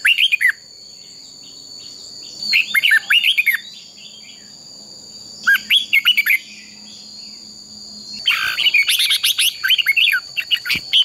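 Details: Red-whiskered bulbul fighting song for stimulating birds. Short bursts of fast whistled notes come every few seconds with quiet between them, and a longer, denser flurry of notes fills the end.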